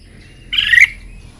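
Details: Red-whiskered bulbul during a morning contest-song training session. One short, harsh, loud burst of several tight notes, under half a second long, stands over a quiet background.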